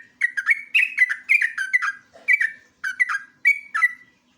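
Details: Lure and master recording of a sooty-headed bulbul (jogjog or trucuk) singing ngeropel style: rapid, nearly unbroken chattering phrases of rich, falling whistled notes, with short gaps between the bursts.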